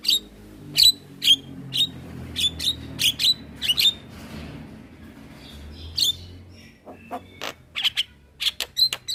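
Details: Chatty jalak kebo (Javan myna), white-eyed form, singing for caged-bird training: short high whistled notes spaced about half a second apart over a low rumbling background hum, ending in quicker clicks.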